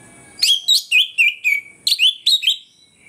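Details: Orange-headed thrush in morning ngeplong song, played as a lure to anger rivals; nine quick, loud, clear whistled notes, each dipping slightly in pitch, delivered in two tight groups within about two seconds.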